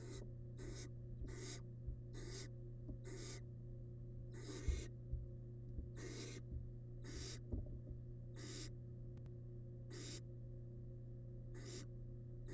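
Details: Wild barn owl nestling in a monitored nest box swallowing large rabbit remains; around fifteen breathy hisses, some paired closely, across the stretch, with light thumps and persistent low hum.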